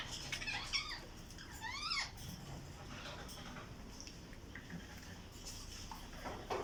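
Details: Caged breeding Alexandrine parakeets: a burst of quick stacked chattering notes, then a pair of harsh upward-sweeping squawks near two seconds, followed by scattered softer calls and clicks against low rumble.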